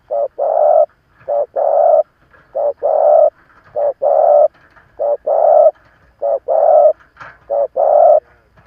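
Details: Spotted dove, an experienced decoy bird cooing to provoke wild rivals: deep mellow coos in steady short-long pairs, a brief note then a longer drawn-out one, repeated throughout with short gaps and no other sounds.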